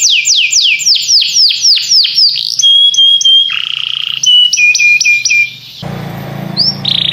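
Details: Singing canary runs through quick descending sweeps, pure held whistles and short choppy notes, with a lower buzzy passage; a burst of broad noise cuts in near the end.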